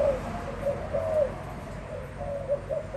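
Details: Spotted dove from 2021 cooing quietly: mellow, low hooted notes in loose groups, some slightly drawn out, with faint background hum and no other clear sounds.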